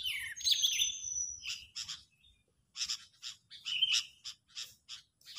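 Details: Sooty-headed bulbul in an agitated, angry state, serving as a trapping lure: a swooping whistled note and a thin, high drawn note, then rapid harsh rasping bursts repeated about every half second.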